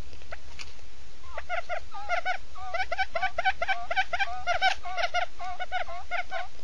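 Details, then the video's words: Male and female quail calling to each other, in a recording used as a decoy call for trapping: short, nasal, mid-pitched notes repeated about twice a second in a steady run, over a faint low hiss. "tiếng cút trống mái"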